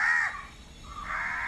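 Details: Many crows screaming because a young bird fell out of the nest: two harsh, drawn-out caws separated by a short pause.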